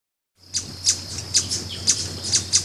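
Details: Brazilian ruby, a large hummingbird of eastern Brazil's forest edges and gardens: six sharp, high chips spaced about every half second, each a brief bright tick, over a faint steady high hiss and a low hum.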